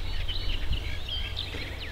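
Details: Eurasian reed warbler singing from reeds in the Netherlands in spring: a steady run of scratchy, chattering notes over a strong low rumble of background noise.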